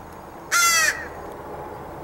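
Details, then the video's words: One drawn-out, raspy caw lasting under half a second, given by a member of a crow family that comes to be fed in the morning, 9/10/2014; soft hiss follows. "watching all my crow family"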